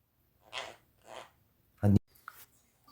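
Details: A pet conure talks, giving two short, raspy, breathy speech-like phrases about half a second apart, followed by a loud thump and a brief squeak indoors.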